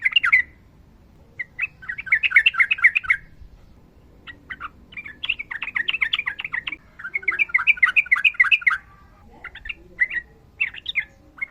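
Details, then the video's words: Long rapid 'ropel' song of a sooty-headed bulbul, for training birds that sing poorly: repeated bursts of fast chattering notes separated by pauses, scattered single chirps between, faint background hum. "TRUCUKAN GACOR NARUNG ROPEL PANJANG"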